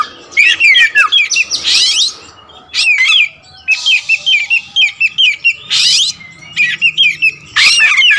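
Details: Oriental magpie-robin, black wulung raja form with a large repertoire, singing repeated bouts of quick sharp whistled notes, each set broken by a loud harsh rasping burst, about six bouts.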